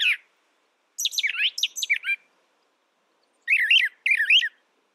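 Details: Song of a brown thrasher: rapid descending slurred whistles, then a pair of near-identical wavering phrases repeated back to back after a brief silence.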